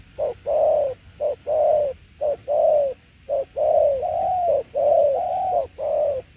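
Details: Spotted dove cooing loudly in "tiểu liên nước" style: a steady run of short-long coo pairs, the long notes rich and slightly rising then falling, almost continuous toward the end.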